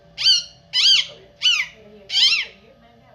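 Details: Pet parrot indoors uttering four loud, harsh arched squawks, each about a quarter second long, spaced roughly every half second, with a low steady hum underneath.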